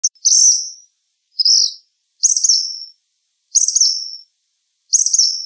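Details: Black phoebe singing: high, sharp two-part notes repeated about once a second, each a quick buzzy burst sliding down, with one softer lower note between, over a silent background.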